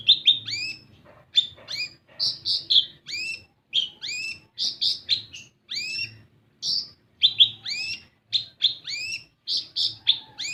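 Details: Olive-backed sunbird singing as a lure to prompt untrained birds to sing: an energetic run of high, thin, upward-flicking chirps mixed with flatter buzzy notes, delivered almost without pause above faint background hum.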